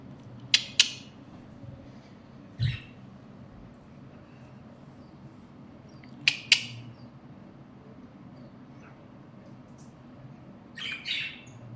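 A budgerigar gives sharp, scratchy chirps in quick pairs, with quiet pauses between.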